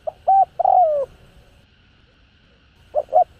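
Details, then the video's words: Hạp bổi voice of the spotted dove: a clipped coo, a doubled note and a long sliding, downward coo, then after a short silence the next phrase begins with quick soft notes. "Cu Gáy Giọng Hạp BổI ĐỦ BÀI [ GÁY GỌI,THÚC,GÙ ]"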